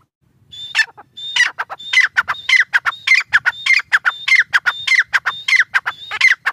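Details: Partridge (tetar) repeating sharp, grating notes in a steady, rapid rhythm, several with a thin whistled tone and a squeaky dropping end, building from a quiet start into a continuous loud series.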